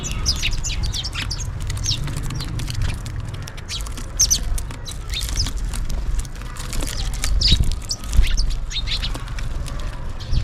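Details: House sparrows calling for food while feeding: many short, bright chirps scattered through the whole stretch, overlapping one another, over a steady low rumble of background noise.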